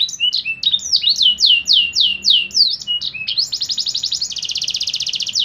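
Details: Canary singing a 'lagu mewah' tutor song for training caged birds: a series of loud, looping downward whistles about four per second, then a switch to a steady, fast, dense trill of high pulses.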